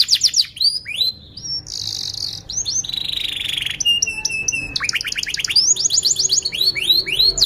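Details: Atlantic canary singing a long varied lure song to train young canaries: rising chirps, sustained buzzy high tours, a steady lower whistle, and quick rolling trills in turn.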